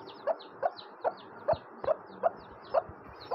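A hen gives soft, low clucks, about two or three a second, while faint high chick peeps sound above them.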